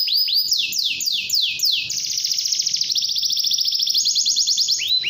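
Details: Canary song intended to encourage young canaries to sing: rising notes, then strong descending sweeps leading into a long, rapid high trill that ends with rising whistles.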